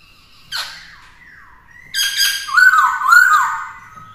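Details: Black-throated laughingthrush, kept caged and used to train a young bird, sings a brief note, a soft gliding whistle, then loud, rolling whistled phrases with repeated dipping slurs.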